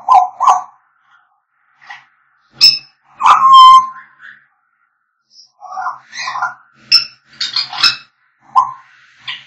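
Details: African grey parrots whistling: hollow low hoots, sharp squawks, a long clear whistle with harmonics, then mixed chatter and high whistled notes.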